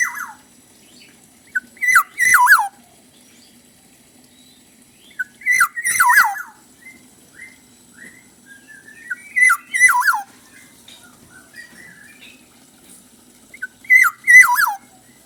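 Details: Black-naped oriole singing: short fluty phrases of wavering, descending whistles, repeated about every four seconds with quiet gaps between them and soft scattered notes.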